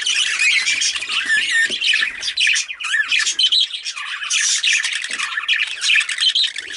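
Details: Rainbow budgerigar kept as a pet, chattering without pause: dense scratchy warbling mixed with squeaky whistled notes and harsh squawks, busy and high-pitched throughout.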